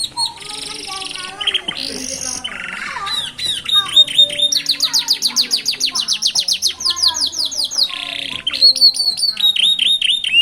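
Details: Roadside singing of young canaries in a special rhythm: buzzy trills and a harsh lower phrase, then long runs of quick repeated downward-slurred whistles, a rasping burst, and bright chirps.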